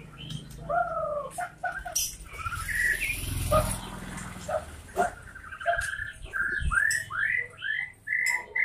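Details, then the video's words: White-rumped shama pouring out a mix of whistles, clicks and a harsh rasping patch, then a series of clear arched whistled notes repeated about once a second. "suara murai batu MH"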